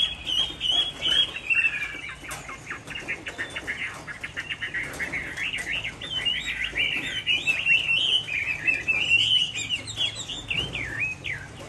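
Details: Caged Chinese hwamei from Hai Phong, Vietnam, on a rainy afternoon, pouring out a long continuous warble of varied whistled and slurred notes, rich and rambling, with faint background rustle.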